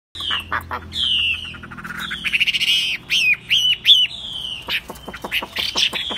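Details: Tame caged Chinese hwamei, said to sing wherever it is set down, even on a table or carried by hand, delivering loud clear whistled phrases that slur downward, broken by quick sharp notes and clipped chips, over a faint low hum.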